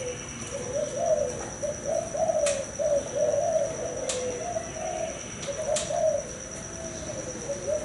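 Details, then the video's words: Male spotted dove that has fathered several broods, said to coo loudly enough for the whole neighbourhood, gives low, mellow coo phrases running one into the next almost without pause, over a steady high whine and a few sharp clicks. "Cu gáy thái hậu 4,đã làm cha vài lứa,gáy cái nguyên xóm"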